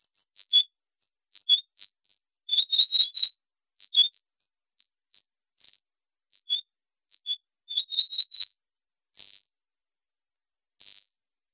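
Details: Wallcreeper giving a long series of thin, very high whistled notes, mostly short descending slurs, in irregular clusters with brief pauses, on a clean silent background.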